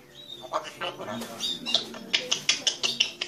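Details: Grey parrot giving a run of short, sharp, high chirping notes that quicken toward the end, roughly six clipped calls in the last second and a half, over faint murmuring background sounds.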